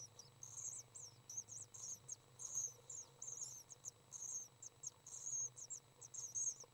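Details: During a feeding session on May 30th 2012, three common swift chicks produce high, thin chirps, roughly one burst a second, in irregular clusters, against a low constant hum.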